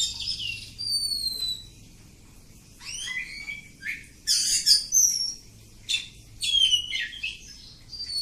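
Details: Oriental magpie-robin, kampung type, singing a long ngacor sequence of descending whistles, quick rising slurs and harsh buzzy bursts with brief gaps.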